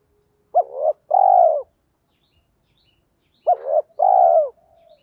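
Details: Decoy spotted dove cooing to draw in wild doves. Two double coos about three seconds apart, each a sharp upswept note followed by a sustained, slightly falling hum. The background is otherwise quiet.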